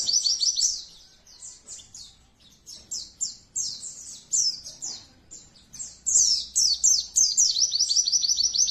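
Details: Oriental white-eye colony singing, used for training birds to sing vigorously. Several birds overlap in high-pitched, fast chirping phrases that swell into loud, dense trilled runs toward the end.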